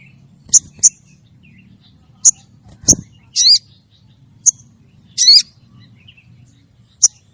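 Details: Female crested jay calling the male, recorded as a lure sound. Crisp high ticks, some doubled, come between two harsh, buzzy rasps, with a faint low background hum.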